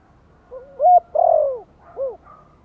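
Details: Soft Thổ-voice lure coo from a spotted dove, used to get newly caught birds calling. A low lead note glides into a bright hoot, followed by a long falling coo and a short final hoot; quiet background.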